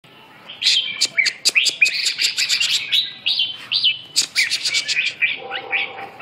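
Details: Red-whiskered bulbul singing a dense, lively run of clear whistled and chirping notes, fast rising and falling slurs packed tightly together, with sharp clicks between phrases.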